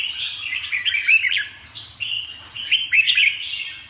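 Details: Bright, chattering warble from a red-whiskered bulbul, short slurred whistles rising and falling in quick succession, broken by a brief pause before a loud, jumbled burst of notes; soft low rumble in the background.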